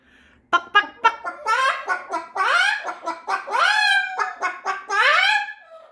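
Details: Pet Moluccan cockatoo indoors among a flock of household birds: a run of loud, harsh squawks and clucking notes, several sweeping upward with rich overtones, before a person starts talking.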